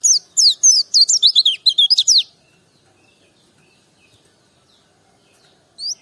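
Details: White-eye, known locally as pleci, singing a quick burst of high, sweet chirps and twittering slurred notes for about two seconds, then falling silent before one last short chirp at the end.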